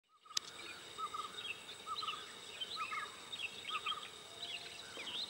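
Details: Blue-cheeked bee-eaters taking a sand bath give short rolling, liquid calls about once a second, with higher chirps overlapping, over a steady background hiss.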